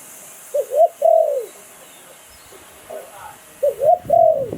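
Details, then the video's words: Thai decoy Spotted Dove, Sai Phon Liu Tan song style. Two phrases of clipped rising coos, each followed by a drawn-out sinking note, sound over a constant background hiss. "เสียงนกต่อดิน 2022 สายโผน หลิ่วตัน"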